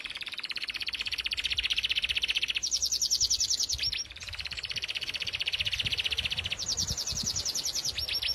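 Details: Song canary bred for sweet singing giving long, even, rolling trills of rapidly repeated high notes, changing pitch between tours, over a soft low background hum.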